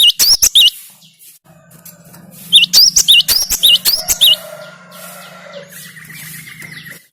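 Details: Ringing whistled phrases of a Cinereous tit (gelatik batu), played as a lure sound: a short burst, then a longer repeated series over a steady low hum, ending with faint tonal background noises.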